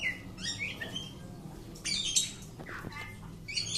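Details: Home-kept Oriental magpie-robin during a courage test, giving short varied phrases of high sweet whistles and slurred notes with gaps between bursts, over a faint low hum.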